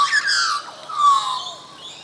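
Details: Australian magpie singing at Coffs Harbour, Australia, giving rich fluting and warbling notes that slide downward, with a bright harsh overtone over two seconds.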